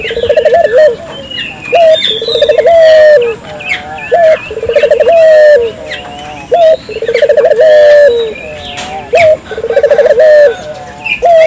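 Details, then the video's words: A dove calling energetically to provoke local doves into calling. Low coos roll on in a steady series: a short note, a stammering trill and a drawn-out coo, repeated several times. Busy twittering from other birds and a constant high hiss. "suara burung puter gacor,merangsang burung puter lokal ikut gacor"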